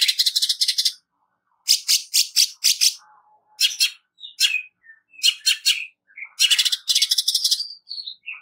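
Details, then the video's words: Greater green leafbird's 'nembak kasar' harsh song, used as a training recording: short choppy bursts of rasping notes separated by gaps, with a few thin whistled slurs in between. "Cucak ijo nembak kasar"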